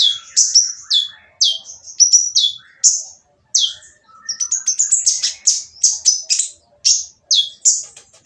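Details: Noisy sunbird song meant to provoke other birds into singing: a rapid string of sharp, high, downslurred notes, broken once by a short pause, then a denser chattering run.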